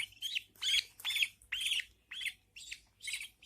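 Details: Newborn budgerigar chicks being fed by their mother in a nest, giving harsh, raspy, rising chirps in quick bursts, about two per second, with short silent gaps between them.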